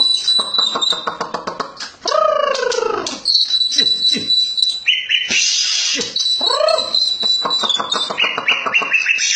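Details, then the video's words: White-rumped shama delivering rapid ticking note series, harsh arched rasps and high buzzy trills, an energetic, varied and densely packed performance. "Beginilah kicauan MURAI BATU SUPER"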